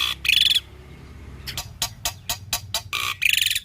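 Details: Black-winged starling (jalak putih) in vigorous, varied song: two loud harsh buzzy bursts bracket a rapid series of dry clicks or snapping notes, over a quiet low background hum.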